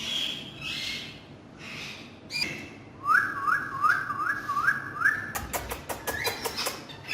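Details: Naughty talking parrots: faint hoarse calls, then about six quick rising whistles in a row, followed by a string of sharp clicks and one more upslurred whistle.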